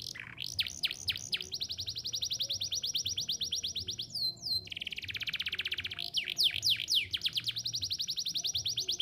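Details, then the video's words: Vigorously singing canary, meant as a tutor for young canaries learning their song; a few descending whistled sweeps lead into long, rapid buzzy trills, broken by a short burst of sharp notes before trilling resumes. "Kenari Gacor Cuit-cuit Efektif Buat Pancingan Kenari Paud Belajar Bunyi"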